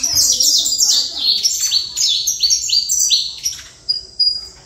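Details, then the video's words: Saffron finch singing a fast series of bright, sharply downslurred notes, delivered in quick bursts with brief pauses, ending in a couple of isolated high notes; faint low murmurs underneath. "Canário da Terra"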